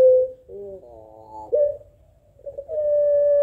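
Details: Short phrase from a puter pelung Barbary dove calling against a rival: brief steady note, a stepped quavering section, then the opening of a long level coo.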